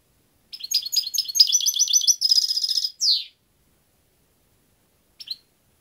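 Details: European goldfinch singing a bright, fast twittering phrase that speeds into a tight metallic trill and ends in a falling buzz, followed by silence and one short chirp.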